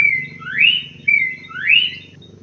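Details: Paddy-field munia with two repeated calls, each a steady high whistled note followed by a louder buzzy rising sweep, the pair spaced about a second apart, over a low hum.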